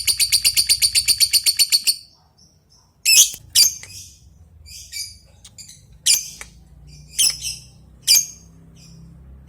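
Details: Lovebird calling an opponent, opening with a rapid ticking run of about a dozen sharp high notes over two seconds, then separate loud shrill chattering bursts every second or so.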